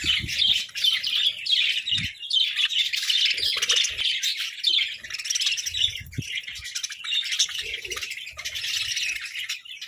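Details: Pet parakeets brawling over food: rapid, harsh squawks and chirps pour out in an unbroken jumble from many birds, with scattered soft knocks in the background.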